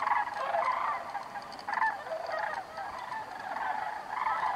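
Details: Sandhill cranes heading north for summer, catching a thermal at Bandelier National Monument; several birds give rolling, gargled calls in uneven bursts, some louder, others fading, across almost five seconds.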